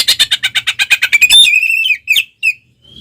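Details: Oriental magpie-robin (kacer) in full ngeplong song while fighting with tail spread: a fast train of about a dozen sharp, buzzy notes, then longer clear whistles sliding and wavering, ending in a thin high whistle.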